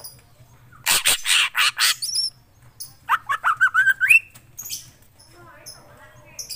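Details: Black drongo in lively song: harsh rasping bursts, a high whistled double note, then a rapid rising series of short chattering notes, then quieter faint sounds, with a low hum throughout.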